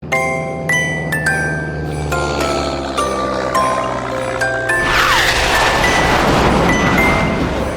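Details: Music with chiming, tinkling tones builds into a louder wash, and no animal voice is heard.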